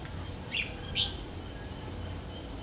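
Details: Red-whiskered bulbul of the Má Lỡ type, recorded on 3 September 2019 during bulbul trapping: two short, bright, slurred whistled notes about half a second apart, over steady low rural background noise.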